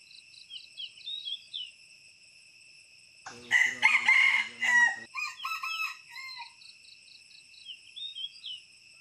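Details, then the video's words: Red junglefowl living around a pagoda near Teuk Chob Khnar Po Community Forest, Siem Reap, Cambodia, gives one loud, harsh, rasping crow of about two seconds over steady high insect trilling and brief chirping bird notes. "Asian Red Junglefowl, Red Jungle Fowl Crowing Compilation Plus, Rooster crowing sounds"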